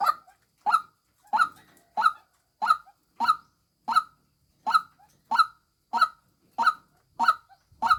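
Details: Female white-breasted waterhen calling loudly: harsh, honking croaks repeated steadily about every two-thirds of a second, each note short and grating, with a softer clipped note trailing some of them.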